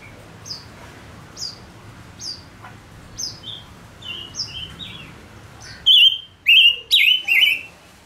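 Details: {'text': 'Caged male silver-eared mesia used as a decoy to draw in wild birds. Faint high whistles repeat about once a second, then four loud, wavering whistled phrases in quick succession.'}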